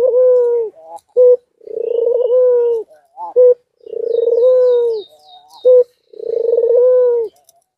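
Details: White dove in courtship, bobbing its head while in heat, gives loud rolling coos about two seconds long, each a low pulsing burr ending in a steady tone, separated by short sharp clipped notes, repeated about every two seconds.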